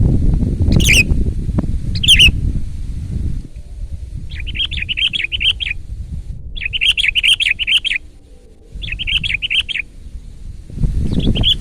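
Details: A Sooty-headed bulbul in loud 'gacor' form, recorded for luring and training home birds, sings: two sharp chirps, then three long runs of rapid wavering, trilled notes, with low rumbling noise at the start and end.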